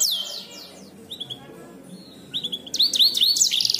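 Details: Canary singing a complex, intricate song used as a tutor recording for songbirds: opening high descending sweeps, a quieter stretch of short flat whistles, then loud rising looped notes and a rapid buzzy trill near the end.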